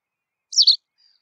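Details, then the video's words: Single crisp white wagtail call, a loud high two-syllable chirp lasting about a quarter second, with a faint thin note after it. "Ak Kuyruksallayan , White Wagtail"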